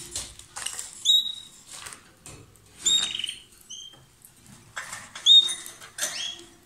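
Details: Two lovebirds calling loudly: clean, high whistled chirps, some slightly rising, scattered among scratchy chatter and soft rustling, in uneven bursts every second or two.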